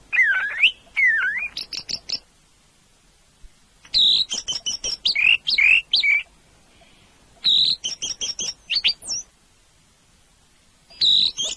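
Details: Song of an orange-headed thrush: varied sweet whistles, including swooping rise-and-fall notes and high sharp chips, given in several separate bursts with quiet gaps between them.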